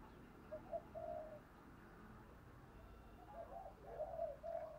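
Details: Lure spotted dove calling to draw wild doves; a few soft coo notes early, a pause, then a fuller coo phrase near the end over a low background hum.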